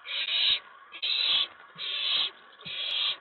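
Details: Nest-box owlet excited at night on 19 May 2017 as an owl arrives at the tray after a mouse delivery; four drawn-out, breathy rasping hisses with brief pauses between them, over a faint hum.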